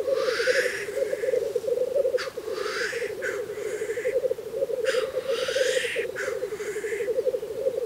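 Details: Black grouse males at a Russian lek in spring: constant deep bubbling chorus with repeated loud rising hissing sneezes, about five across the stretch.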